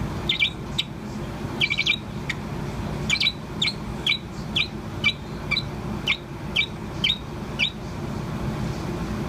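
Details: A Bourke's parrot about four months old keeps chirping, giving short, high, clipped notes about twice a second, some doubled into quick twitters, against a continuous low background hum.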